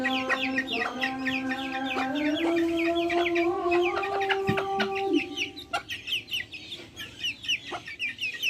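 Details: Backyard chickens: a long, drawn-out, harmonic call holds low and steady for about five seconds. Rapid high, downward-sliding peeps repeat over it, several per second, then fade into sparser peeps.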